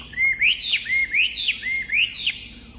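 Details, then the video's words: Wambi bird singing repeated two-part whistled phrases, a flat note followed by a sharp upward sweep and drop, about three times over nearly three seconds. "Suara Khas Burung Wambi Gacor Enak Suaranya"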